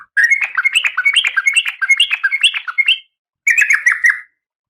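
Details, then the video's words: Harsh, scratchy chattering from a female oriental magpie-robin in breeding condition calling the male, a nearly continuous three-second run of rasping notes, a short pause, then a second briefer burst. "Suara Kacer Betina"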